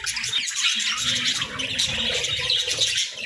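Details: Caged budgerigars chatter without pause, high scratchy warbles layered over one another, with faint low rumbling beneath.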